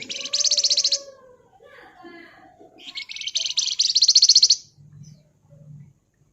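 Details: Flamboyan bird in lively 'ngebren' style, Java: two long, loud, rapid buzzy rattles with fast pulses, each lasting one to one and a half seconds, separated by softer twittering notes, with faint low thumps at the end.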